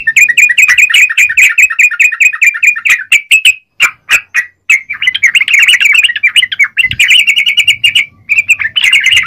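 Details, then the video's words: Yellow-vented bulbul singing gacor, a fast series of evenly repeated bright chirps, several sharp isolated clicks, then tumbling warbles and another rapid chirp run. "Burung trucukan gacor..!!"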